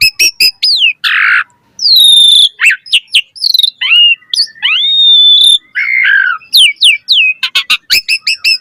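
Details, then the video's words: Asian pied starling in lively, richly varied song used to lure other starlings into singing: loud clear whistles, rising and falling slides, harsh buzzy bursts and rapid clipped notes in quick succession, with no other sounds. "Suara Jalak Suren Gacor Full Variasi Materi Ocehan - Pancingan Burung Jalak Gacor Full Isian Mewah"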